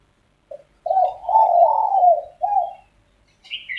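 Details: Spotted doves arguing at dawn: a brief coo opens, then a long, wavering, rolling coo and one shorter note follow. A thin, high chirp from another bird closes the passage.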